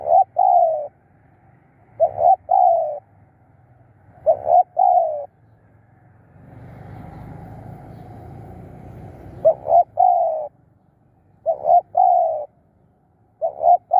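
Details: Spotted dove kept as a decoy for luring wild birds, repeating low, throaty coo phrases of a clipped note or two followed by a longer croon, every two to three seconds, with a passing rumble of engine-like noise midway.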